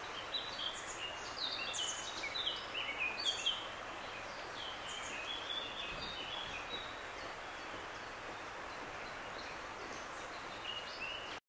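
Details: Juvenile grey wagtail: a busy cluster of high, sharp chirps and short sliding notes in the first few seconds, then only sparse faint notes, all against constant broadband rushing noise.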